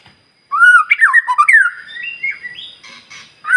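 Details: White-rumped shama in morning song, played to stir other birds to sing: rich, fluting whistles that twist and slide, then trail off into softer, higher notes.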